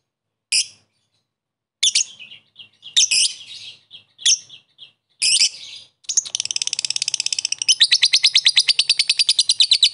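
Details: Fighter lovebird chatter, or ngekek, used to goad a rival bird into answering. Several scattered sharp chirps and short rasping bursts open, then a sustained rapid harsh chatter takes over and grows louder toward the end.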